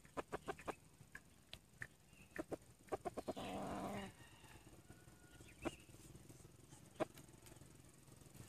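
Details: A red junglefowl decoy bird, titled as male though also described as female, used to lure wild junglefowl, gives one brief, harsh crow of under a second, between sharp tapping clicks and rustles.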